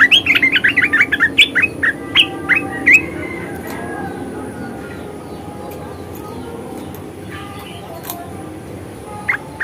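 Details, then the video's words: Red-eyed bulbul in ngeriwik and ngebren chatter: a rapid run of about a dozen sharp, squeaky chirps over three seconds, then quieter scattered notes against a low steady hum. "SUARA KICAUWAN BURUNG MERBAH MATA MERAH NGERIWIK DAN NGEBREN"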